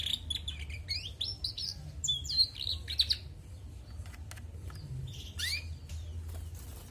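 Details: Female canary twittering with quick high chirps and rising whistled slurs in the first half, then sparser clicks and a few upswept notes against a low background rumble.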